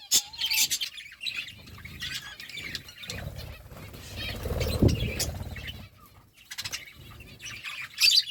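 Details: A parakeet chirps while eating fruit, giving sharp, high chirps in short bursts at the start and end, with wing flutters and low rustling and thumping noise in between.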